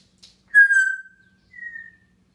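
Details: Pet grey parrot whistling on top of its cage one morning in June 2016: a loud steady whistle with rich overtones, then a softer, slightly higher whistle after a short pause, in a quiet room.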